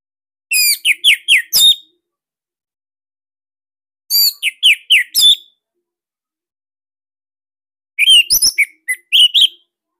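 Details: Orange-headed thrush, Bali type, kept in captivity, gives three fast bursts of sharp falling whistles and chirps about four seconds apart, the last mixing lower slurred notes; recorded as loud 'sirtu' master song, no other sounds.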